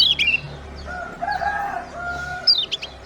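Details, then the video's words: Chirping bird sounds used to stimulate lazy birds to sing: sharp high falling chirps at start and end, with steadier lower whistled tones through the middle. "PEMANCING SEMUA BURUNG MALAS BUNYI AGAR CEPAT GACOR"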